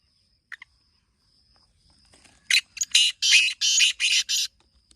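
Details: Rasping Black francolin phrase: two quick clipped notes, then a rapid run of about six loud grating notes, against a steady faint high-pitched insect tone.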